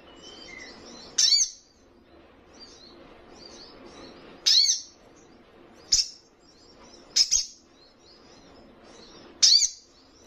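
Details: Young spiderhunter calling keenly to provoke opponents: five loud, sharp, high chip notes spaced one to three seconds apart, one doubled, with faint high twittering between.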